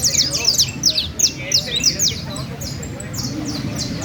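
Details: Canary singing at a song contest in Valledupar, La Ceiba: quick high trilled phrases of sharp falling notes, repeated about three times a second, with faint low murmur behind.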